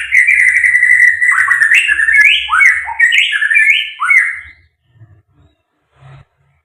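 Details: White-rumped shama, called murai batu, in fighter style with full material: a loud, fast, continuous phrase of rich whistles with repeated up-and-down slurred notes, ending abruptly, followed by faint low knocks.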